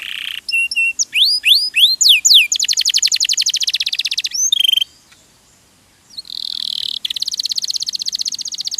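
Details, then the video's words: Canary song from a tutor recording: sweeping upslurred whistles, then a long rapid trill and a buzzy note, a short pause, and a smooth warble running into another fast trill. "MASTERAN KENARI RAJIN BUNYI"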